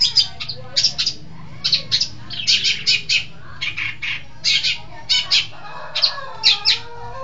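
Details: Long-tailed shrike from East Java, a lively singer, uttering clusters of loud, harsh, high squawky notes in short bursts over a low background hum.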